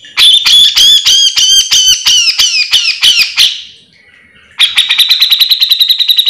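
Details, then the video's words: Lively grey-cheeked bulbul used to train or lure birds of the same kind: a series of loud, harsh, rising-and-falling squawking notes, a quiet gap, then a fast, even, buzzy trill. "Cucak jenggot gacor full mbeset - MASTERAN WAJIB"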